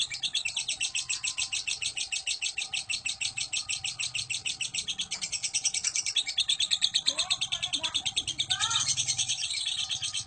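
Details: Long ngekek from a fighter lovebird, used to provoke courtship and singing; a sustained high chattering trill pulses rapidly, with a few short lower squeaky notes slipping in toward the end.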